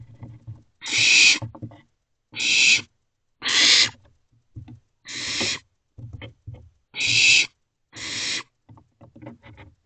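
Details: Owlets in a nest box at 1:56 am on 28 May 2023. They give harsh, hissing screeches, each about half a second long, repeated roughly every second and a half. Soft shuffling and knocking fill the gaps.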